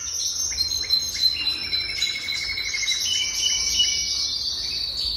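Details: Jaspe canary song: a rapid series of clipped chirps, then rolling trills and long, bright, high whistled phrases. Delivery is lively and varied, and the bird sings alone without background noise.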